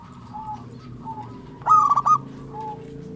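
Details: Single loud, trilled phrase of quick beaded notes from a local zebra dove in active song. Faint wavering coos from other doves and a steady low hum lie underneath.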